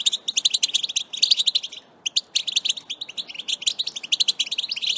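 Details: European goldfinch (Carduelis carduelis) song, used to stimulate breeding readiness: a rapid, unbroken stream of high tinkling twitters and liquid trills, with barely a pause in five seconds.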